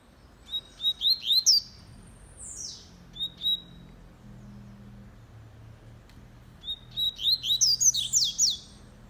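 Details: Double-collared seedeater kept as a fast-singing bird, delivering two rapid phrases of sharp, high whistled chips and buzzy upslurs, each run of about eight notes followed by a descending sweep, with low background hum between phrases.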